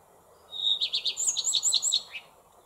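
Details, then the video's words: A common redstart (Phoenicurus phoenicurus), whose song is not often heard, sings a short verse: a clear high opening whistle, then a quick, jingling run of tinkling notes ending in a lower slurred note. "ROUGEQUEUE à front blanc, chant"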